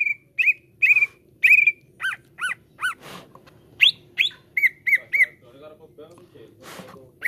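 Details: Greater green leafbird (cucak ijo) lure song, meant to make caged birds sing freely: clear whistled notes, some flat and some chevron-shaped, repeated about every half second, with a few rough buzzy bursts and faint low hum.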